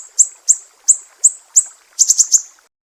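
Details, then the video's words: Mangrove whistler from Sumatra singing a sharp 'besetan' style, used to train songbirds: five piercing high chips about every third of a second, then a quick run of four, on a clean, quiet background. "SIRI SIRI SUMATRA, BESETAN PEDIH"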